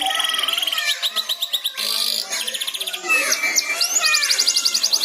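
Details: Young canary learning to sing, prompted by another canary's song: a jumble of fast trills and chirps with rapid repeated notes and short sweeping whistles, somewhat broken and uneven.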